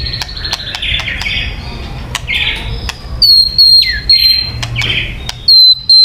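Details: White-rumped shama song, recording used for luring birds: harsh, buzzy phrases mixed with clear high whistles that slide downward, sharp clicks scattered through, with a faint low rumble beneath.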